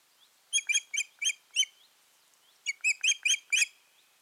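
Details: Shrill Osprey whistles from a pair at the nest in mid-June 2019: two short groups of five loud, slightly slurred notes separated by a second of quiet, faint background hiss.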